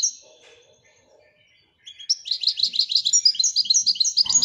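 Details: Royal goldfinch (European goldfinch) singing: a short note and faint low sounds, then a quiet gap, then a sustained rapid twitter of bright, rippling high chirps that builds and runs to the end.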